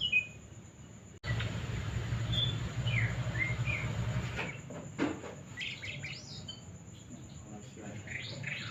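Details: Male jongkangan singing: short whistled notes high in pitch, some rising and some falling, given in loose scattered bursts that grow busier toward the end, over a steady low hum and faint background hiss.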